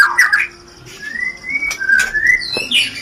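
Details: White-rumped shama song in the rencetan style, used to stir mating urge: a short chirpy burst followed by slow, pure, slightly rising whistles with sharp clicks between.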